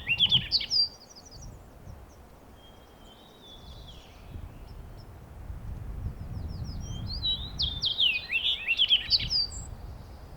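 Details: Fox Sparrow, from central Alaska or Newfoundland, which repeats one song all day: bright, rich whistled notes and quick slurred trills, an opening phrase and a fuller burst near the end, over low rumble.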